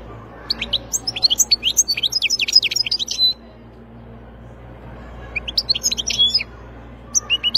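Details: Wild European goldfinch singing: rapid tinkling, twittering phrases of high, sharply up-and-down notes, a dense three-second burst, a pause, then two shorter bursts.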